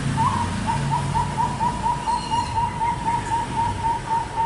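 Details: Young zebra dove, two months old, Bangkok strain from Pekalongan raised for song contests, giving a steady string of brief rounded notes, roughly four per second, against a noisy rumbling background.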